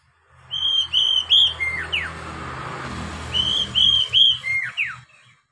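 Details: Oriental magpie-robin song for prompting young captive birds to sing: two bursts of bright whistled notes, each ending in steep falling slurs, over a steady low hum and background hiss.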